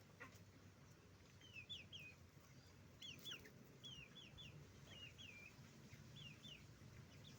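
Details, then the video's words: Chicken farm with roosters and hens: faint, high, downslurred peeps repeated in pairs and triplets through the clip, with a constant low mechanical rumble underneath. "the sound of a chicken farm, roosters and hens making noise"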